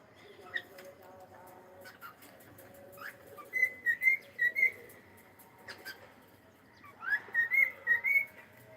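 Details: A cockatiel kept as a pet says hello with two short phrases of clear, wavering whistles, each made of four or five rising and falling notes, separated by a pause with faint clicks.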